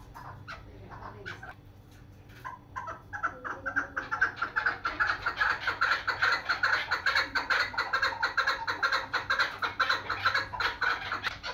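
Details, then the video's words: Rapid clucking call of a female chukar used as a local hunting bird: sparse scattered notes at first, then fast regular chuk pulses, roughly two per second, grow louder and continue to the end. "دیسی شکاری مادی چکور کی اواز deseshikari madi chakor"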